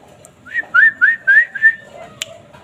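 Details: Asian fairy-bluebird giving a brief phrase of five bright whistled notes, each sliding upward, delivered rapidly and evenly, followed by a couple of sharp clicks.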